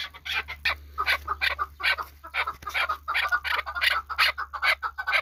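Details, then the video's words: Kabodiyon chukar partridge, a hunting bird, pouring out fast, rasping chuk-chuk notes with a brighter, hissier edge than usual, packed closely together against a steady low hum. "Кабки Кабодиён шикори"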